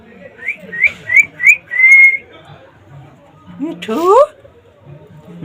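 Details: A male rescued pet rose-ringed (ringneck) parakeet gives four quick rising whistles, then a long flat whistle, followed by a brief burst of mimicked human speech ("me too").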